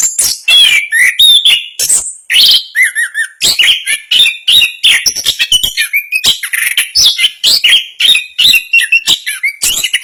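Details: Orange-headed thrush, a competition songbird, delivering a continuous rapid, dense song of varied whistles, trills and sharp chirps with scarcely any pause across the whole stretch.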